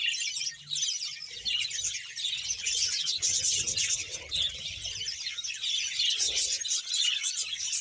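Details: Budgerigar colony of around one hundred caged birds in Bahawalpur, Pakistan; high, scratchy warbling and chirping from many birds blends into a dense unbroken din, with faint low rustling underneath.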